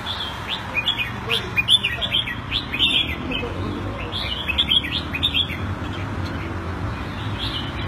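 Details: Singapore-kept caged red-whiskered bulbul in the Thai style, February 2018: a lively run of quick, bright warbling notes, dense in the first half, then thinner repeated phrases over low background hum.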